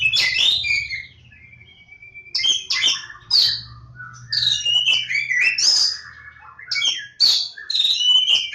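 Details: Kacer Jawa, the Oriental magpie-robin, lebakgowah, delivering loud song in bursts of a second or two split by brief pauses, each burst a jumble of sharp chirps, falling whistles and scratchy notes.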